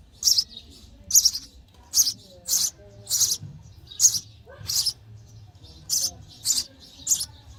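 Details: Nest of sparrow chicks chirping for food during feeding: buzzy, hissy high notes repeated a little over once per second, irregular spacing, faint low hum behind.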